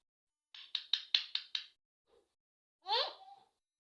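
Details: Talkative pet rose-ringed parakeet indoors: five quick harsh, clipped bursts in a rapid series, a brief pause, then one louder rasping call with a falling tone. No other sounds.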